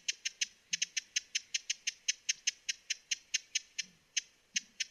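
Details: Broad-billed hummingbird making rapid, hard chip notes in a quick, uneven chatter, some spaced closely together, over soft background hiss.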